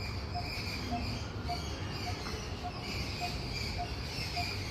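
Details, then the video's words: Coppersmith barbet about 10 metres above a building gives a low, hollow 'tuk' note, repeated steadily about every half second, over a constant background hum. "Copersmith barbet 🐦 bird making typical sound"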